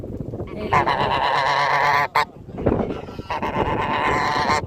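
A domestic goose gives two long, harsh, nasal honks, each about a second and a half, with a brief pause and a short grunt between them.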